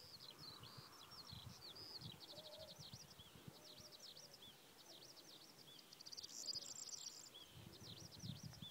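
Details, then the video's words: Corn bunting (Miliaria calandra) at Svatý Mikuláš, Kutná Hora district, Czechia, 17 April 2016, singing a dry, jangling high song like shaken keys among chirping from other birds, over a low wind rumble. "Strnad luční (Miliaria calandra)"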